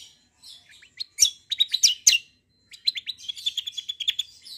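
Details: The greater green leafbird sings a long roll in kecial-mimicking combination style, aimed at drawing replies from kecials. Soft twitters build into loud piercing chirps, followed by a fast, even run of high twittering notes.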